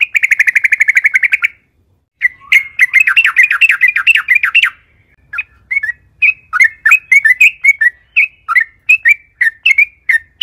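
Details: Yellow-vented bulbul singing loudly at length as a lure to prompt other bulbuls to sing; a steady buzzy rattle, a pause, a fast chattering run, then spaced slurred chirps.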